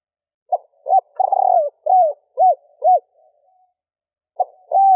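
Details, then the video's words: Female spotted dove in stuttering three-ending coo meant to excite males: short notes and a long burred coo, then three arched hoots; after a pause a new phrase begins. "Tiếng cu gáy mái gù gáy kích bổi nhanh gáy / Chim cu gáy mái 3 hậu gù cà lăm / cu mái kích bổi"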